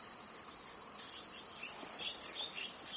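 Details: A zitting cisticola in Tainan, Taiwan, on 27 July 2020 gives sharp, high 'zit' notes, about three a second, over a steady shrill insect hum.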